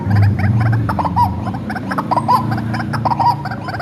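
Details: Hand-reared white-breasted waterhen used as a lure: harsh clucking notes, each ending in a short bright upward inflection, repeated three times, over a strong low-pitched drone.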